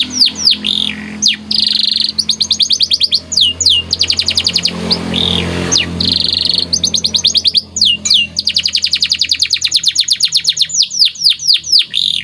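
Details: White canary singing a training song used to teach other canaries, long rolling trills of fast repeated high notes broken by sweeping whistles, with a short pause in the middle.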